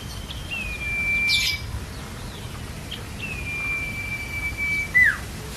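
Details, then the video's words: Common Iora in full song, recorded as a training master for cage birds: a clear, level whistle broken by a scratchy chirp, then a second long drawn whistle ending in a steep downward flick, with light background hiss. "CIPO GACOR!! CICOK UNTUK PANCINGAN BURUNG BAHAN"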